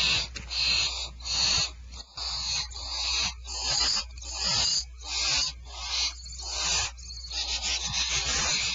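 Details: Barn owls at Starr Ranch at dinner time, 1 February 2012, give harsh, breathy hissing screeches, roughly one every second in uneven bursts, with a faint low hum behind.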